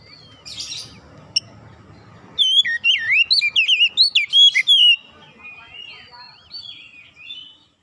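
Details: Oriental magpie-robin lure song meant to get a reluctant singer going: a short rasp and faint noises first, then a loud run of looping, slurred whistles for about two and a half seconds, fading into soft warbles.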